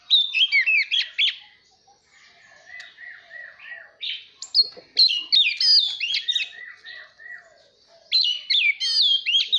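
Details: Oriental magpie-robin song for voice training of young birds and provoking rival singing: sweet, jumbled high whistles alternating with a series of lower, evenly repeated downslurred notes.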